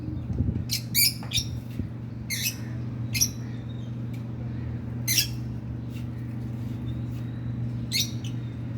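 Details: Pair of hand-tamed rosy-faced lovebirds, male and female, kept as pets, letting out brief shrill squawks at irregular intervals, a few close together early then spaced out, against a constant low electrical hum.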